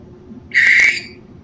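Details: Barn owl at night, one of two owls chittering back and forth; a single harsh, raspy burst lasting about half a second, held level and buzzy, set against a quiet night background.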